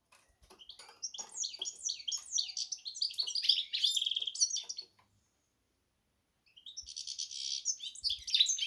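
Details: Hybrid goldfinch-canary singing rambling high twitters and buzzy trills that build over five seconds, stop, then resume with a rattling buzz; faint clicks and knocks in the background.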